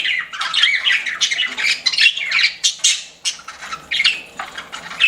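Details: Several pet budgies chirp in dense, scratchy warbling bursts with sharp squawks, fading briefly near the end before a final outburst.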